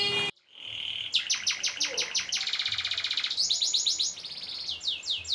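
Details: Canary singing long rolls, used to stimulate other cage birds to sing: a brief note and a short silence, then fast repeated trill notes, a dense buzzy roll and sweeping downslurs.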